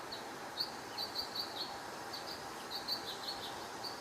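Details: House finches give short, high chirps in loose bursts of two to four notes with pauses between, over a steady hiss; one may be singing and another giving what may be an alert call, and it may not be song.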